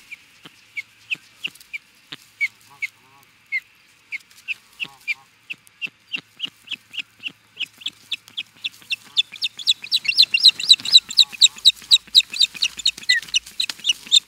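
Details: Osprey at Charlo, Montana, USA, reacting to an intruder: a steady run of sharp, high whistled chirps, about four each second, growing louder and denser toward the end.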